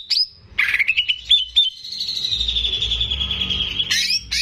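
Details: Greater green leafbird kept as a pet, singing vigorously as a tutor recording for young birds: quick chirps leading into a long, fast, slightly falling trill lasting about two seconds, ending in harsh notes.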